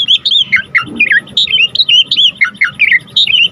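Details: Jalak suren in lively full isian song: rapid series of bright whistled slurs, some dipping down, others swooping up, about four notes a second, with a soft steady hum behind.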